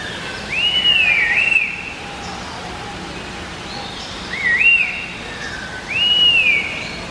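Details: Red-winged laughingthrushes (Trochalopteron formosum), native to China and Vietnam, singing to one another: three clear, slurred whistles, each rising then falling, spaced a couple of seconds apart over a quiet background.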